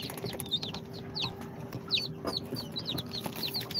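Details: Incubator-hatched chicks on day two, Sultan, Golden Sebright, Cochin and booted breeds, give scattered high, downward-swooping peeps with small gaps between them, plus light knocks and a steady low hum.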